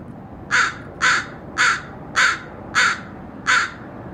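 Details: Crow cawing: six harsh, hoarse caws spaced about every half second at an even pace, over a steady low background hiss.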